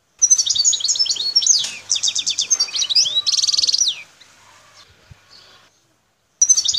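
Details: A wild Algerian goldfinch recorded around Bouteldja, El Tarf, sings a lively run of tinkling twitters. Sweeping slurred notes lead into a buzzy rattling trill, then silence before a fresh phrase begins.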